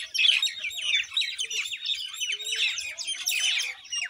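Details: Unbroken chatter from a common myna: scratchy, buzzy chirps and quick descending squeaks, loudest near the start and again toward the end.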